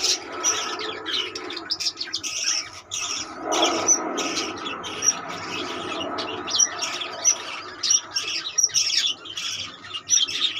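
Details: Budgerigars in a colony: a dense, continuous chatter of many birds, with rapid buzzy warbles and short bright chirps overlapping throughout and no pauses.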